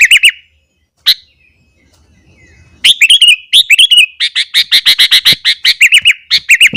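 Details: Sooty-headed bulbul singing hard in the morning to stir up rival bulbuls. A few chirps give way to a quiet gap of nearly two seconds, then a dense, fast run of repeated bright notes.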